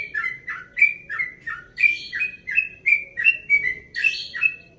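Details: Yellow-vented bulbul aged 1.5 years, from Bekasi, delivering fast early-morning 'ropel' song in a relaxed style: liquid whistled phrases, falling and rising, some harsher buzzy notes, close to three per second, faint hum behind.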